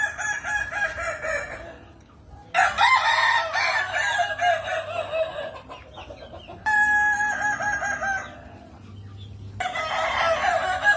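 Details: Kukuak Balenggek chicken, a Minangkabau songster kept for its melodious layered crow, giving several long crows separated by short quiet gaps, each a string of stacked, level syllables rising and falling slightly in loudness.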